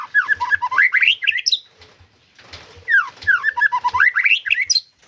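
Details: White-rumped shama singing actively: two dense bursts of warbled, twisting whistles climbing to a high flourish, with soft low thumps underneath.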